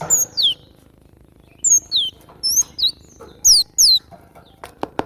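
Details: Cinereous tit (glatik batu), recorded as a training track for cage birds, gives bright whistles that slide steeply downward in pairs and clusters, closing with a few dry clicks.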